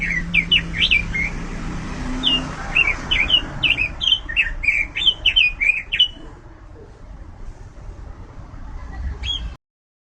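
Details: Robin song: quick series of high chirped and slurred whistled notes, rising and falling, packed closely for about six seconds before fading to quiet background hum with a final lone chirp.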